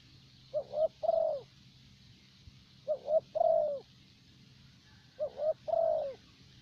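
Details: Caged decoy spotted dove in Vietnam, a type chosen by old-time keepers for its steady calling. Three evenly spaced phrases, each a clipped double coo followed by a longer, downward-curving purr, about every two and a half seconds.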